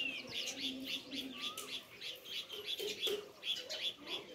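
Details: Rhythmic sparrow chirping with bright chirps repeated roughly three times a second, overlapping from several birds, and a short rising whistle halfway through.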